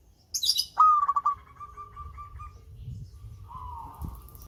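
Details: Local zebra dove song opening with a thin high chirp, then a clear cooing note breaking into quick pulses and a long fading tail, followed by a softer lower warbling phrase over faint rumble.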